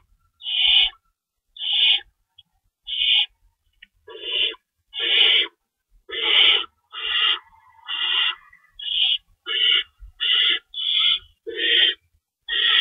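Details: Owls at a nest during night feeding, 3:53 AM on 25 March 2012, two rabbits in store: a long run of about fourteen grating, hissy screeches, some with a deeper rasping undertone, coming faster toward the end.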